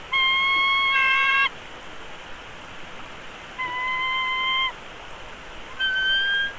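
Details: Bald eagle nestling being fed at its Big Bear Valley nest, March 2022, begs with three separate flat, nasal whines. The first is long and shifts pitch partway through, and the next two are shorter, with steady hiss between them.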